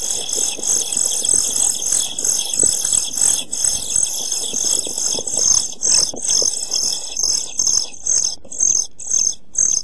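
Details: European pied flycatcher nestlings, 11–12 days old and near fledging, in a nest box on 29 June 2013 give a continuous high, hissing begging chorus, broken by soft thumps and rustling.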